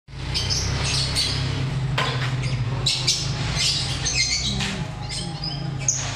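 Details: Captive lovebirds bred in a colony system. Harsh, shrill squawks come in short overlapping bursts from several birds, over a steady low mechanical hum.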